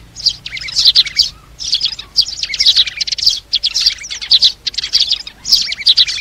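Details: Flock-calling sparrows, recorded as a lure for trapping birds. Bursts of quick, high twittering chirps come in clusters separated by short pauses, lively and overlapping.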